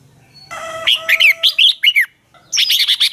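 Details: Red-whiskered bulbul singing a dueling song as a lure bird: a harsh, buzzy opening note, then a run of rich whistled notes with downward slurs, a short pause and another fast burst of notes.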